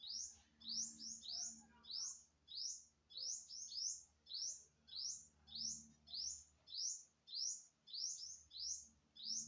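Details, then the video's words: Bird of unknown kind, September 27, 2022, calling with a fast, regular series of sharp, upward-slurred tweets, occasionally doubled, about one and a half per second; soft low hum beneath. "Successfully Recorded the Bird Sound"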